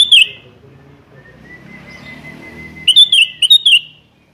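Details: Bright, warbling whistled phrases from a sooty-headed bulbul challenging a rival: one brief phrase, a pause filled by a thin steady whistle-like tone, then a longer run of four or five slurred notes.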